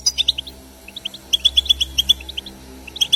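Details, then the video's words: European goldfinch song, played to encourage kept goldfinches to sing: rapid, liquid twittering of short high notes in bursts, with brief pauses between phrases and a faint low background hum. "بتبتة خلوية جديدة لتحفيز الحسون على التغريد"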